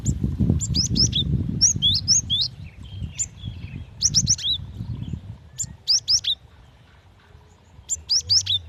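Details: Female cinereous tit calling the male, used as a lure: bursts of sharp, high, down-slurred whistled chirps in quick groups of three to four, repeated across the recording, over a low rumbling background.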